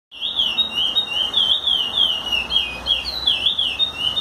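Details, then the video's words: Chestnut-bellied seed finch song used for teaching young birds: a continuous run of clear, fluty whistled notes gliding up and down in smooth loops, rich and unbroken throughout. "curió canto para ensinar."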